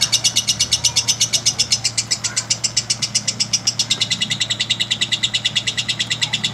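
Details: Lovebird in a long singing bout: a steady, high, buzzy chatter of rapid pulses, about four per second, running unbroken through the whole stretch with no other clear sounds.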